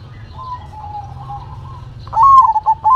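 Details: Captive zebra dove, known locally as perkutut, in manggung song: a long soft level trill, then a sudden loud run of clipped stuttering coos at the end.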